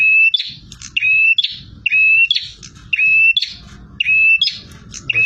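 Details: Aggressive bar-winged prinia singing at full intensity, each high, bright phrase of a sharp note and a short level trill returning roughly every second in a regular, insistent rhythm.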